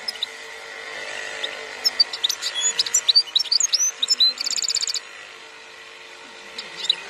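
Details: European goldfinch song in the khalwi style, 2021: a dense run of fast, sharp, high chirps and twitters building into a buzzy rattling trill, then a pause and a few more notes, with a constant low hum behind.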